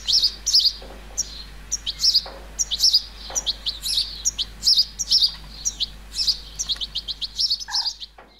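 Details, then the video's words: A juvenile European goldfinch in a flower bed in the countryside of central France, 30 July 2019, gives a rapid series of thin, high, tinkling chirps, several per second in loose bursts. "CHARDONNERET Élégant/Juvénile/Carduelis carduelis ! BRUITX"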